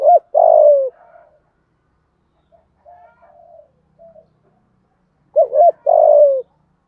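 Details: Spotted dove cooing to provoke rivals. Two phrases, each a quick double coo followed by a long rough note falling in pitch, separated by several seconds of faint soft notes.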